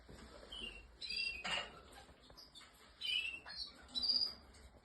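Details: Canary singing in short bursts: bright, chirpy phrases with trilled and whistled notes separated by pauses, over a faint background hiss and occasional soft knocks.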